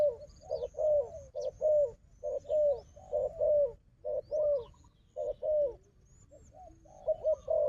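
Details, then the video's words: Wild dove, strong at fighting, answering a decoy: rolling low coos repeated at roughly one per second, with a brief lull midway, then more coos; faint high twitters from other birds. "លលកព្រៃនេះខ្លាំងខាងជល់ ធ្នាក់ក៏ខ្លាំង"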